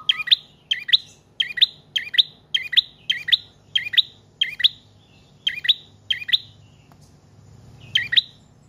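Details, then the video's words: Prinia song of the trotol or paot style, used as a lure and to train other cage birds: a long run of rapid, sharp, repeated chirp phrases, about two per second, pausing briefly near seven seconds before one more phrase. "Prenjak Trotol/Paot Gacor Panjang"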